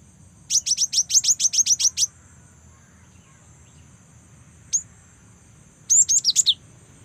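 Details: A young cinereous tit, used as a lure to get other birds singing, gives a quick run of about ten high, thin chirps, then a lone note and a brief twittering burst, over a faint low hum.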